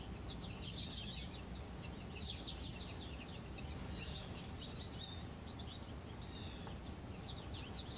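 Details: Goldfinches twitter in quick, high, thin chirps, scattered and overlapping throughout, over a steady low rumble of wind, during a snowstorm on 16 January 2020.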